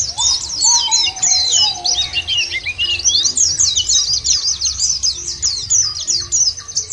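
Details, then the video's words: White-eye lure song for prompting kept birds to sing: a dense, high, warbling torrent of rapid twitters, with lower brief whistles in the first seconds and a soft hum beneath. "puter ini jangankan pleci burung lain aja pada gacor"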